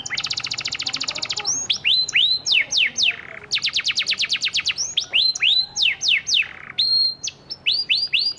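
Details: Panda canary singing as a lure for canaries that have stopped singing: a fast trill, then alternating phrases of curved whistles and rapid ticking runs, loud and continuous.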